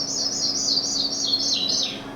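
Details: Sprague's Pipit, a declining grassland songbird, sings its breeding-season song: a very high, thin series of slurred jingling notes cascading downward over about two seconds, with a faint steady hum beneath.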